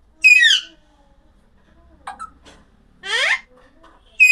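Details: Alexandrine parakeet with a harsh falling squawk, then faint short chips, then a buzzy rising call, and a final sharp note at the end. The background is quiet.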